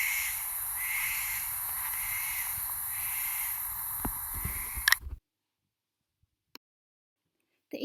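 An Eastern Barn Owl gives a rough, hissing screech, drawn out and pulsing for about five seconds, then breaks off into silence.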